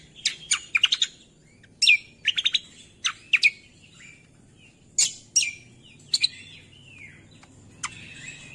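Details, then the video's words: Cucak kombo song used to draw out lazy songbirds: clusters of sharp clicking chirps and quick whistled notes, some falling in pitch, delivered in irregular bursts with brief pauses. "MASTERAN CUCAK KOMBO - PANCINGAN MALAS BUNYI SEKALI DENGAR LANGSUNG NYAUT"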